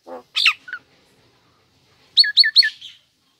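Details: Female Nias hill myna, a kept cage bird: a low nasal note, then a loud downslurred whistle and a short note, a pause, and three rapid strongly inflected whistles with sharp upper harmonics.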